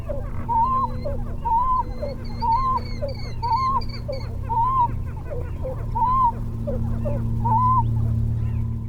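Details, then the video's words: A Pied-billed Grebe, a small water bird of lakes and ponds, gives haunting, hollow, slightly wavering mid-pitched notes repeated steadily every half second or so, over a low constant hum. "And I think my highlight was the haunting sounds of the Pied-billed Grebe."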